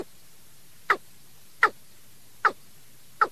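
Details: A Watercock gives four short, hollow, throaty notes, about one every three-quarters of a second, over a faint hiss; the call was recorded from a decoy bird and is used as a lure for night trapping.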